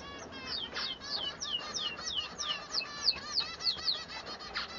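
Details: Male Bengalese finch in song: a rapid, continuous stream of high, downslurred chirps and scratchy notes, about three per second, with some overlapping chatter.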